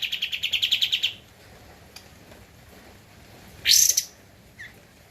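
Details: On a master recording for training cage birds, a Javan white-eye (kapas tembak) sings energetically: a second-long rapid trill of high pulsed notes, a pause, then a short sharp high burst and one faint chirp.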